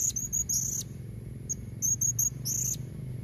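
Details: A female blue-crowned hanging parrot gives lure calls for males: clusters of sharp, high-pitched chips and brief buzzy trills separated by short pauses, with a low droning background.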